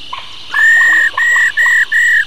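A female laughingthrush gives four long, steady, level whistled notes with brief gaps, over faint softer chips.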